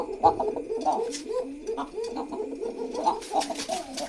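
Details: Pigeons in a pigeon house, their cooing tied to love: steady overlapping low throaty coos from several birds, rolling and bubbling without pause in an indoor room.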